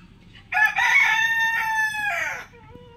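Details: A Black Buff Orpington rooster gives one strong crow lasting about two seconds. It opens abruptly, holds a steady, harmonically rich, brassy tone, then ends in a falling, fading tail against a quiet background.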